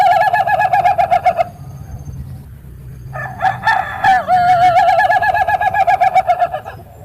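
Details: Ayam Ketawa rooster producing a trilling, quavering crow, a steady warbled tone held about a second and a half, then after a pause a longer wavering, rippling crow over faint background hum.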